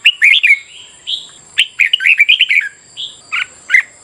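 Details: Morning singing of a red-whiskered bulbul, played to provoke competitive song: a lively run of chirpy, slurred whistles and short warbles with brief pauses, bright and loud against a thin steady high tone.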